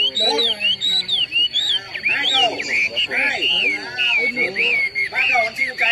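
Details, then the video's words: Chinese hwamei at an interprovincial singing competition in Lao Cai city, Vietnam, 2019, singing loud, rich whistled phrases that rise and fall quickly, several birds overlapping with people talking underneath. "Giao lưu, thi đấu chim Họa Mi"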